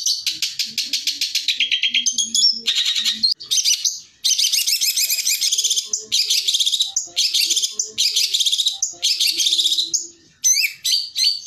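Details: Long-tailed shrike song in the 'tembakan' style, used as a master recording to train other birds; dense high chattering bursts and rapid trills in separate phrases, with brief gaps between, and faint low tones beneath.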